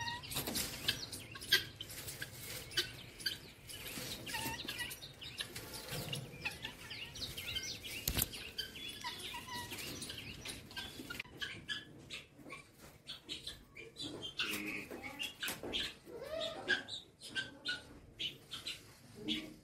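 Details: Guineafowl in a village at Upleta, Rajkot, Gujarat, give harsh, scratchy cackles and chattering calls in quick, uneven bursts.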